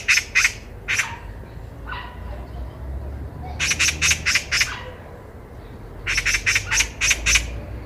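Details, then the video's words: Eurasian magpie heard by chance on a walk in Korea, loud and clear: harsh, rattling chatter in quick bursts of about six rasping notes, with a few single calls between. Faint low background rumble. "까치 새소리"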